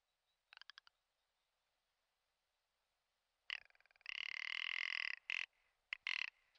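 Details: Commander rock ptarmigan, Lagopus mutus ridgwayi, in its spring breeding display at the Komandorsky reserve. A brief clicking rattle, a long pause, then rapid pulses swell into a loud, rasping, drawn-out croak and two short harsh bursts.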